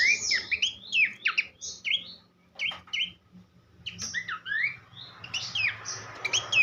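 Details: Horsfield's babbler, locally pelanduk semak, singing a tutor song for songbirds: bursts of quick, varied whistles and sliding notes, a brief pause near the middle, then more lively phrases, with a faint low hum behind.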